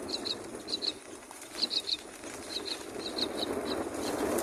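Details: Four myna chicks in the nest being fed: short high squeaky notes in quick pairs, repeated in bursts over a steady background hiss.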